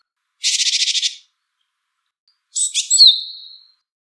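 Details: Wild Japanese tit: first a rapid buzzy rattle of about ten evenly spaced notes, then after a pause a clipped chirp cluster ending in a long, thin, high whistle; quiet background.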